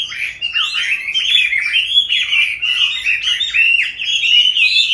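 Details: Caged Chinese hwamei, kept since it was a young bird and now in its fifth year, sings a loud, continuous warbling phrase of rich, slurred whistles rising and falling, with bright overtones throughout and no other sounds.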